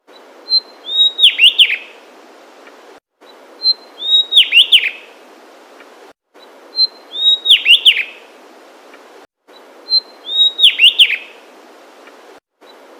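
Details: A Javan Tesia in mountain forest jungle of Central Java, Indonesia, gives a thin high note and then a quick burst of sharp, twittering notes, repeated regularly.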